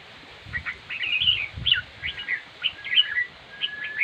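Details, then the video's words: A red-whiskered bulbul gives a string of lively chirped and warbled notes in quick succession. A faint, steady whistled tone runs behind the later notes. "chim chào mào diab kuam lauj quaj zoo heev"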